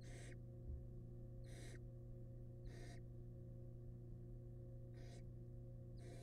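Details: Wild barn owls in their nest box during a prey delivery, the male bringing a huge rat. Five short, harsh hissing bursts spaced irregularly over about six seconds against a steady low hum.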